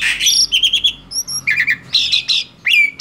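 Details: Male black-winged starling singing: a harsh burst, then quick repeated chirps, clear high whistles and rasping notes, closing with a sharp downslurred whistle.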